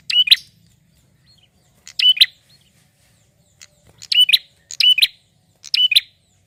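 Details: Loud male prinia kept for stimulating other birds to call, repeating clipped, high, rattling chirp phrases in uneven bursts, with brief silences between each burst and no other clear sounds.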